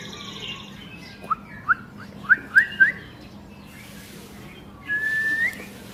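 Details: White-rumped shama of the long-tailed type singing agitatedly: five quick upslurred whistles about every half second, then a long, steady, slightly rising whistle, with faint other birdsong behind.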